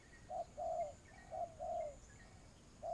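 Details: Trapping lure spotted dove from Vietnam cooing in alternating short and long notes, the long ones buzzy and falling at the end, with faint higher chirps from small birds behind.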